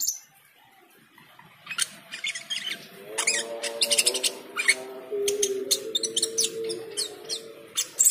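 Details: Cucak keling singing on hearing the call to prayer: after a quiet start, bursts of sharp high chirps and squeaks begin, mixed with the loud sustained chanted voice of the call to prayer.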